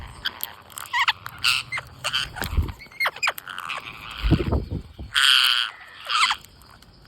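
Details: Green parrots at feeding time giving harsh, raspy squawks in quick irregular bursts, some overlapping, with scattered dull thumps and rustling from feeding.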